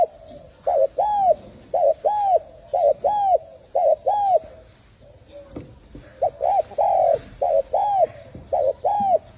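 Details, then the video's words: Spotted dove calling in paired, hollow coos, each roughly a second apart. The series pauses for about a second midway and then resumes in the same rhythm. A faint continuous high hum is present. "លលកធ្នាក់សម្លេងចែ - VIP Dove Sounds"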